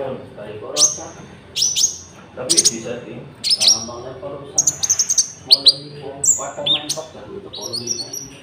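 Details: Konin singing as a lure track for trapping and for training caged birds, mixed with cricket sounds: sharp, high whistled notes that flick downward, given in short bursts about once a second, with low murmuring underneath.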